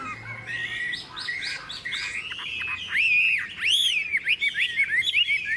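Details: Tame caged Chinese hwamei singing in the morning sun after being fed fresh food, about half an hour into its song: loud varied whistled phrases, slurred rising and falling notes and quick chirpy flourishes, with faint background hum.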